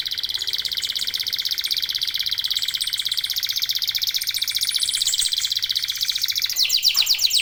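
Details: Local canaries singing together: a dense, buzzy rolling trill held steadily for several seconds, very high and rapid, shifting into a brighter chattering trill near the end.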